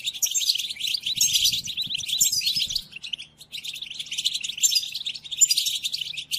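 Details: European goldfinch song for training caged goldfinches in their moult: two bursts of rapid sparkling twittering and buzzy trills separated by a short lull near the three-second mark.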